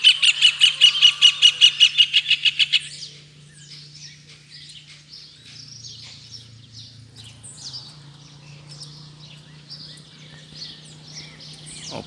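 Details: Double-collared seedeaters squaring up to fight, with a caged male facing wild rivals: a loud run of about fourteen evenly spaced buzzy notes in under three seconds, then a long stretch of softer scattered twittering over a steady low hum.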